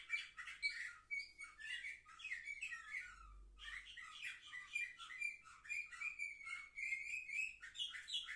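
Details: Seven-month-old canaries, recorded 10 November 2023, deliver a varied song of quick chirps and buzzy trills with a short gap, then a rising whistled run and more rapid twittering.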